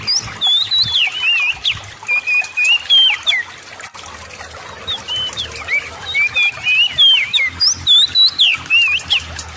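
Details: Oriental magpie-robin delivering fast 'gacor' song to coax silent birds into singing: two long bouts of lively, twisting whistles and chattery phrases, split by a short lull and a single sharp click.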